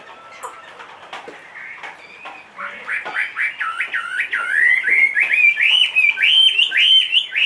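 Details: Chinese hwamei in a cage, a big two-and-a-half-year-old bird, starting with scattered clicks then building into a loud, quick series of hooked whistled notes that grow steadily stronger.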